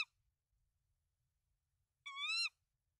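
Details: Tawny owl at its nest in Denmark on 24 March 2024, with three eggs, while the male delivers rodents to the female; the tail of one call opens, then a single rich, slightly wavering call half a second long.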